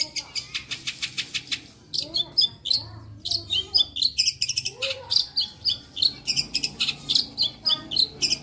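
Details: Lively long-tailed shrike tutor song opening with a fast train of even, clicking notes, then rapid high chirps and whistles, close to four notes per second.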